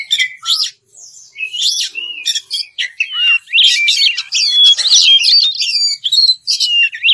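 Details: Oriental magpie-robin calling an opponent in ringing ngeplong style: short whistles and a low slurred note open, then a dense, rapid run of high chirps and twittering whistles.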